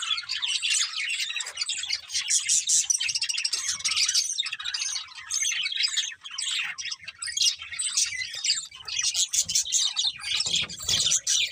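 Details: A long, busy stretch of budgie chirping: rapid shrill twitters and warbling chatter pulse on and off continuously, with a faint low rumble near the end.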